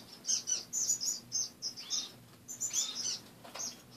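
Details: Morning chatter of caged pet finches: clusters of high, squeaky chirps with a couple of downward-curving notes, rapid and irregular, a low background hum throughout.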